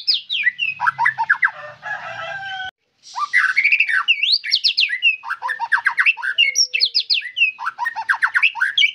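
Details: Energetic white-rumped shama song of fast whistled sweeps, dense chattering runs and rich varied phrases, broken by a short silent gap near the third second and a faint low whistle in places.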